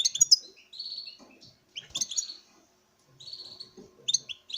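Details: Breeding male European goldfinch displaying before a female, giving three clean bursts of tinkling chips followed by a buzzy drawn-out trill, with quiet gaps between bursts.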